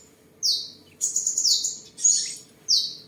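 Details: Seven-colour sunbird, a tame bird from Tân Phú, Đồng Nai, Vietnam, singing, displaying and sparring on 23 July 2022; four sharp high downslurred notes and a fluttering trill within three seconds, over faint electrical hum.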